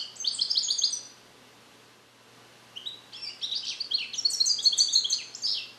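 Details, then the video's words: Captive-bred European goldfinch, hatched in 2021 and song-trained with Neapolitan passages, held in a small carrier; a short burst of bright twittering, a pause, then a longer run of tinkling, buzzy high notes. "Cardellino Passata Napoletana 2021 - European Goldfinch - Jilguero cante limpio"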